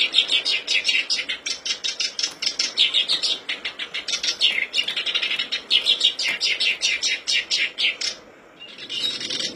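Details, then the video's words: Black-browed reed warbler song used as a lure to prompt birds to sing: a fast, scratchy, high-pitched chatter of rapid repeated notes, pausing briefly near the end before resuming. "Pancingan kerbas alis hitam/sincan agar cepat bunyi"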